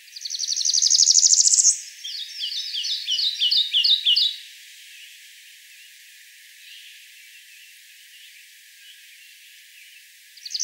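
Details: Kentucky warbler singing in May 2014 at Land Between the Lakes, Kentucky: a series of rich, rolling two-part phrases repeated rapidly, preceded by a loud rising buzzy trill from a nearby Northern Parula.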